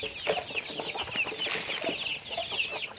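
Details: Chickens going about their daily activity, giving dense, overlapping high chirps and clucks throughout, with a few lower clucks mixed in, like a busy flock heard close up.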